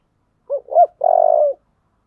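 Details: Thổ-voiced spotted dove calling to spur a fight. One crisp phrase: a short low note, a rising-falling second note, then a sustained, gently falling purring coo. The background is quiet.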